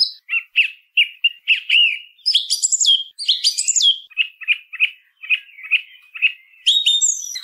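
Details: Song thrush singing loud, varied phrases, each note repeated several times: clear whistles and sharp chirps with rich higher trills in between.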